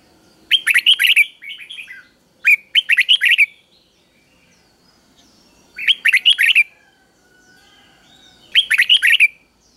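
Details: Red-whiskered bulbul in a cage delivering the easy three-syllable 'double' song for young birds to learn: four loud phrases of quick rising-and-falling whistles, one followed by a softer trailing burst, with quiet pauses between.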